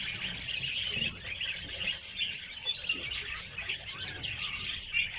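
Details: Kept Red crossbills (Loxia curvirostra) call together in a steady stream of sharp, high, overlapping chipping notes without pause, like a busy flock.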